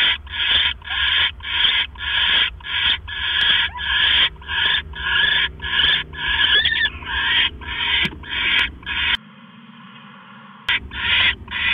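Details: Owl pair on a nest camera, 18 October 2015 at 7:24 PM. The male delivers a rat, which the female swallows whole. A long run of rasping, hissy screeches about twice a second stops for over a second, then resumes.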